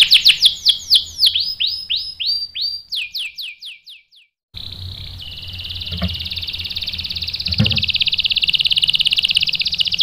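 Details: Canary lure song meant to stir a male into answering: a series of loud sweeping whistled notes slowing to a stop, a brief silence, then a fine, fast, buzzy trill that grows louder, with a couple of soft thuds.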